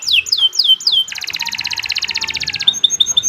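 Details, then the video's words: Nusantara canary in long training song for other birds: three looping downslurred whistles, a dense rapid trill lasting about a second and a half, then soft high repeated notes. "Kicau Burung Kenari 103 II GACOR PANJANG Cocok untuk Masteran"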